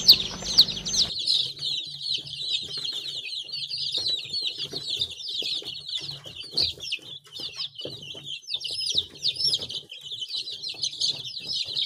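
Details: Baby chickens, a group of chicks peeping together: dense, overlapping high chirps and short trills run continuously, with no pauses. A low hum sits beneath and there are occasional soft knocks.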